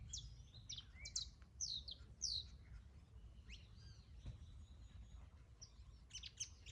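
A canary sings bright, high chirps and quick downward-sweeping notes, with scattered trills, over a steady low rumble of background noise.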